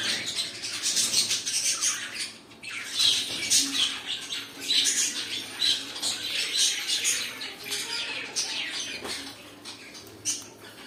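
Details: Pet cockatiels squawk in repeated harsh bursts, roughly one every two seconds but irregular, with a brief quiet gap early on before the calling resumes strongly.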